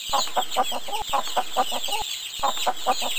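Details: Chicken giving repeated short low clucks, about four per second in runs, with busy high chirping and hiss behind.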